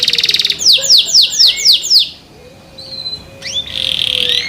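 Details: Loud song of a small white young canary, tail not yet grown, song still incomplete: a rapid trill ends, six downward-sweeping whistles follow in steady rhythm, then a short pause before another buzzy trill.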